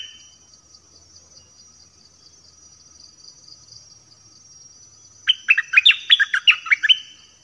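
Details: Nok dok taeng song used to teach young birds: after about five seconds of near silence with a faint steady high tone, a rapid run of bright whistled notes, rising and falling, lasting about two seconds.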